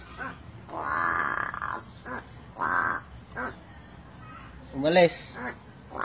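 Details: A pet crow talking to its owner mimics human speech in hoarse, raspy, word-like bursts, about five phrases in six seconds, with a rising squawk near the end.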